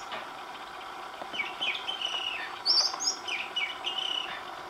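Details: Oriental magpie-robin song, recorded over several days, each bringing a new tune: two drawn-out whistled phrases with downslurred ends, separated by a bright high twittering burst in the middle.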